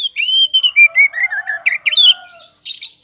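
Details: Lure song of a kacer poci, or magpie-robin, singing in full voice. Clear whistled notes step downward in a tumbling run, ending with a brief harsh burst.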